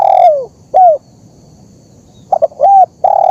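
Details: Spotted dove call recorded as a training and luring sound: a drawn-out coo falling away at the end, one arched note, a pause, then two clipped coos, another arched note and a steady prolonged coo.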